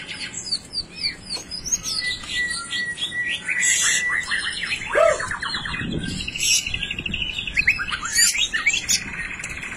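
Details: White-rumped shama in a rare, unusual 'blorok' song, a long flowing sequence of rapid trilled phrases and high whistles, with one lower squawk-like note midway and steady background hiss.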